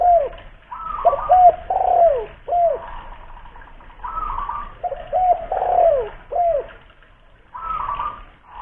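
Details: ['Coos of a local spotted dove used as a lure, Kuningan, West Java, Indonesia: rounded notes that arch and fall, grouped into phrases with pauses between them.']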